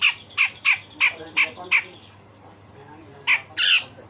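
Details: Song of a grey-cheeked bulbul, used for training other songbirds, with coarse rasps and sharp notes: six evenly spaced harsh squawks, a silent pause, then two louder rasping bursts.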